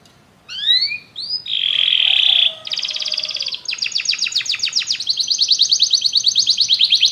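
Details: Canaries join in song after hearing music. After a short silence come a few rising slurs, then a steady buzzy note. Rapid rattling trills follow and speed into a long, even, high roll.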